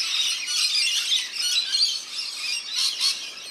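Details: Rainbow lorikeets having a bath in a backyard birdbath, NSW, Australia, produce loud, piercing, grating screeches in overlapping waves, peaking in two sharp bursts near the end.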